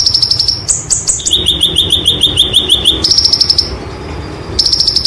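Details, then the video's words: White-eye training recording in the 'roll tembak' style: rapid high, thin trills and chirps, some bursts level and buzzy, one longer run of evenly spaced notes repeated several times per second, with short pauses between phrases. "Konin Materi Roll Tembak Sejalur ‼️ Masteran Konin Gacor Roll Tembak"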